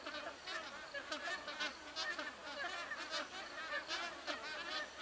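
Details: Flock of magpie geese sitting in trees, many birds calling at once, a dense steady babble of short honking notes with brief louder bursts.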